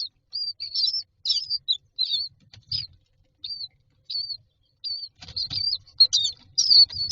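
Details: Common myna chicks lined up in a nest box awaiting food give scattered thin, high, upward-curling squeaks, sparse at first, then busier and mixed with rustling and shuffling in the last seconds.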